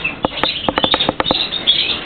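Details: Birds chirping: short high chirps and twitters overlapping with sharp repeated clicks or taps at an uneven pace, several voices close together.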